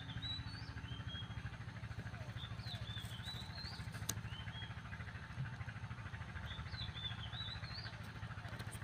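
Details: An Oriental magpie-robin sings in the morning, three short bursts of bright, varied whistled phrases rising and falling over a steady low engine-like hum; finding: Oriental magpie-robin.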